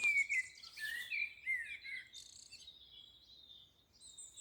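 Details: Eurasian wren singing at sunrise in the spring dawn chorus at East Dartmoor NNR, Dartmoor, often from yew trees: a rapid run of high, sharp twittering notes and trills, with clearer whistled phrases from other birds at the start.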